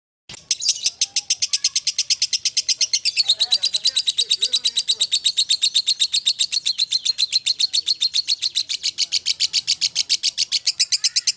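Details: Lovebird giving a long ngekek-style chattering song: after a brief silent start, rapid harsh scratchy notes pour out in an unbroken, even stream for about eleven seconds, high-pitched and steady, with faint low sounds beneath.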